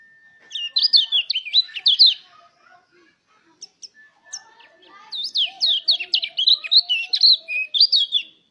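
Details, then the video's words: Mountain white-eye song meant to encourage other white-eyes to open up and sing: two bursts of rapid, high, tumbling whistled phrases separated by a short pause with faint chirps, softer background twittering throughout. "pancingan suara pleci agar buka paruh"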